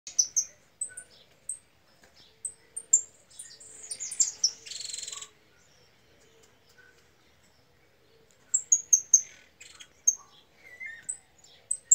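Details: Angry female European goldfinch calling: bursts of high, sharp chirps and short twittering notes, with a buzzy rasping run near the middle, then a quiet pause before more quick chirps resume.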